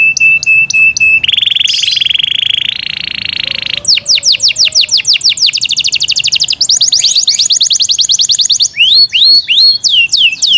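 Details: Yorkshire canary kept in care sings a long varied song: steady whistled notes, a buzzy sustained roll, rapid rising strokes, a dense fast trill, and closing swooping whistles.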